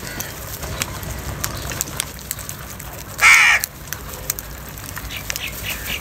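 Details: A single loud, harsh crow caw rings out midway through a morning feeding scramble, where crows fight over food, against a background of faint clicks and distant calls.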